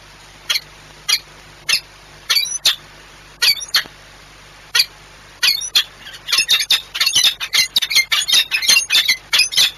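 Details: Peregrine falcon courtship in Płock, 6 March 2021: harsh, high chattering call bursts, spaced at first roughly every half second, then crowding into a fast, dense run of overlapping notes in the last few seconds.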